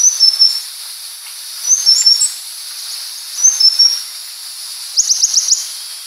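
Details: Purple-throated sunbird (Leptocoma sperata) singing: high thin whistled phrases of short rising-then-falling notes repeated about every 1.5 seconds, ending in a fast buzzy trill, over a steady hiss.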